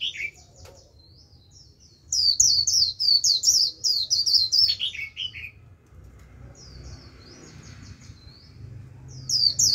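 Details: Lure Japanese white-eye with wild birds answering in líu song: brief lower slurred notes, then a long loud run of very high, quick chirps ending in descending slurs, followed by softer twittering.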